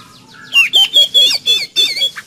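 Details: Oriental magpie-robin song, energetic and meant to coax a kept bird into singing: a dense burst of sharp, varied whistled notes in quick succession, each phrase sliding and warbling, about six phrases in two seconds.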